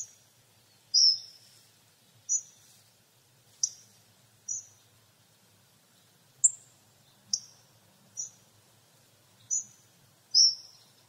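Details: Hawfinch repeating about ten sharp, very high ticking calls, some slightly longer and buzzier, at uneven intervals of roughly one second, with quiet background.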